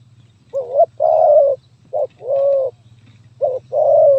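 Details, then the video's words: Spotted dove singing a stuttering 'gagap tindan (sepatah)' style song, recorded 23 January 2022: short wavering coo notes, each followed by a longer drawn-out coo, phrases repeated about every 1.5 seconds over a steady low hum. "Burung Terkukur Gagap Tindan (Sepatah)"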